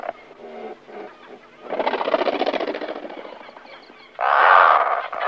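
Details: Several Razorbills near nests before take-off, giving overlapping low grunts and a long rattling, buzzy growl, ending in a loud, hoarse drawn-out call that overlaps other birds in the colony.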